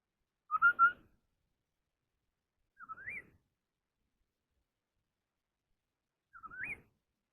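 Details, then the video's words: Chinese hwamei in a singing contest. A flat three-note whistled phrase is followed by two separate rising, curling whistles, spaced about three seconds apart, with silence between. "tiếng chim họa mi Đất hót đấu hay nhất"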